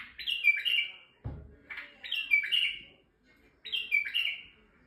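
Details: Male white-eared bulbul in Turkey sings to arouse females, repeating the same bubbly, whistled three-part phrase three times, roughly every one and a half seconds, with a soft thud between the first two.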